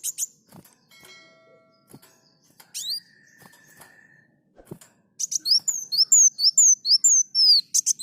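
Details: Olive-backed sunbird (kolibri muncang) singing actively. Scattered clicks and a long steady mid-pitched whistle come first, then a fast burst of thin, high, down-slurred notes fills the last three seconds.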